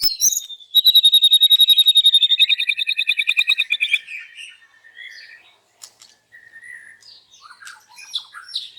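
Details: White-rumped shama loudly singing its isian fill-ins in the morning: a long, very fast, metallic trill descending slowly in pitch, followed by softer whistles and scattered high chirps.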